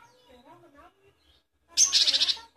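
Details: Great tit tutor recording for songbirds: soft low murmuring sounds, then a loud harsh churr of about seven quick pulses.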